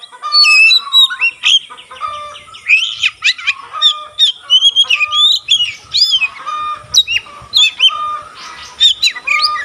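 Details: Oriental magpie-robin with tail opened, singing in a way said to excite other magpie-robins into song; nearly nonstop chattering warble of whistles and rasping notes, rapid and varied throughout.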